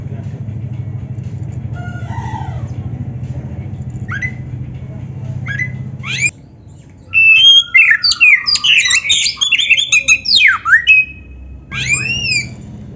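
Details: Oriental magpie-robin song for training other magpie-robins to sing. Sparse faint notes over a steady hum give way to an intense run of varied whistles, trills and sharp chirps, then a final short phrase.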